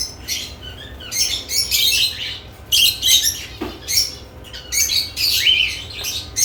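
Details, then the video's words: Lovebirds at newly added nest boxes give a steady series of shrill chirping bursts, each under a second long, with a faint low thump partway through. "Lovebirds add nest boxes activity & chirping sounds"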